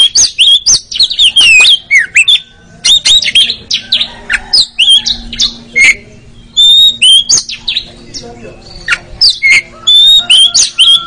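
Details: Oriental magpie-robin song played as mental-strength training for a contest bird, aimed at ngeriwik chattering; loud bright whistles, squeaky upslurs and sharp chips in repeated bursts with short gaps.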